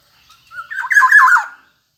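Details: Black-naped oriole singing vigorously: a single rich, fluty whistled phrase about one second long, starting on a thin note and rolling into slurred, liquid warbles that drop at the end, in an otherwise quiet background.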